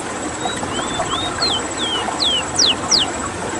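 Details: Ruddy-breasted seedeater (rowti) from Suriname in a rolling song: a series of clear, downslurred whistles growing louder and steeper, about three per second, over a steady background hum and hiss.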